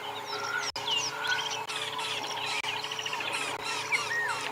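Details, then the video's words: A Woodland Kingfisher's loud, piercing trilled call dominates a busy sunrise dawn chorus of many other birds in the African bush, 7 January 2022, with a steady low hum underneath. "All the sounds that you can hear right now, and there are so many, it's just that woodland kingfisher that just pierces through and just dominates"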